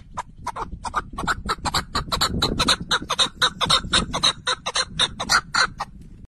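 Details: Red-legged partridge song, amplified: loud, regular chuck-chuck notes repeated about twice a second, harsh and rhythmic, building in volume through the middle of the series.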